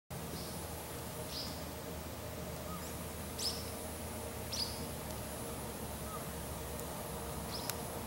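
Green Kingfisher giving brief, high, dry ticking notes at irregular intervals of one to two seconds over a steady low background hiss.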